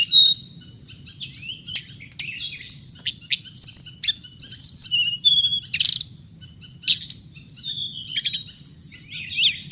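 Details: Hồng hạnh songbird in a long varied sequence of high chirps, sharp clicks and brief whistled slurs, spaced irregularly throughout, with a steady thin high tone in the background.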